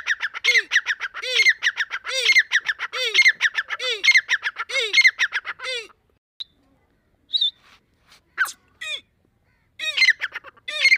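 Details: Deccani grey francolin calling in breeding season: six seconds of rhythmic, rasping phrases with low swooping notes, then quiet, with a few isolated sharp notes before the calling starts again.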